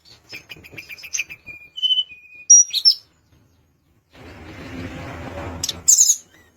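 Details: Sunda minivet in full song, meant to agitate a rival into answering: rapid chattering high notes, short flat whistles at a few pitches, sharp rising slurs, then a stretch of low hiss before a final high buzzy burst.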